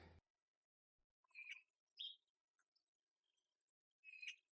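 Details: Eurasian magpie (Pica pica) female at her nest in a jasmine shrub on an April morning gives harsh, whining begging calls to the male, less forceful than before, in short bursts about a second apart, with a pause before a final burst; otherwise quiet.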